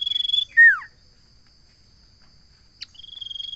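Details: Song of a common iora, with the tail of a high sustained trill dropping into a strong descending whistle, silence, then a fresh level trill starting; a constant thin high tone sits behind.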